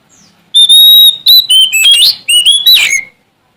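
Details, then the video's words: Kacer Sumatra, the Oriental magpie-robin, singing loudly to call out a rival. A long pure whistle opens, followed by choppy high notes and quick warbled slurs that drop at the end. "Suara Asli Kacer Sumatra Gacor Cari Lawan"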